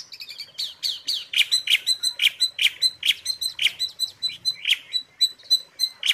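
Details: Asian pied starling filler song used as a training recording for caged birds: a steady run of bright, harmonic chattering notes repeated about every quarter second, with high whistled overtones and clean, quiet background.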